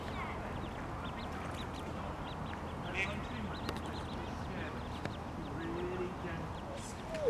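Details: Baby ducks with their mother on the riverbank at Iffley Lock, Oxford, give many quick, high squeaky peeps, overlapping and unevenly spaced, with background rumble and a brief human voice.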